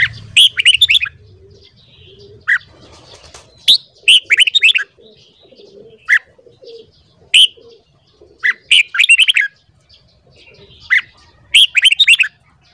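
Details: Morning song of a red-whiskered bulbul for voice training. Short bursts of loud, clear, whistled and warbled notes repeat every two to three seconds, with single sharp notes between them and a soft low hum behind.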